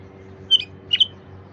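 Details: Wild bulbul singing, meant to prompt silent wild birds to start: two brief, clear, bright notes about half a second apart against a calm, quiet background.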